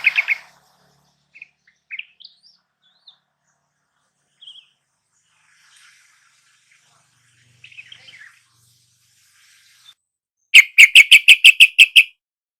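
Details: Yellow-vented bulbul recording used as a lure to get a silent caged bird singing: scattered short chirps and slurred notes, then a loud, fast run of about ten sharp, evenly spaced pulses at the end.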